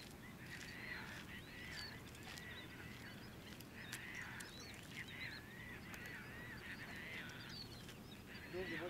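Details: A flock of Bonaparte's gulls at the Salton Sea, California, in 2012, gives harsh, nasal, grating calls that overlap constantly, over a steady low rumble of wind or water.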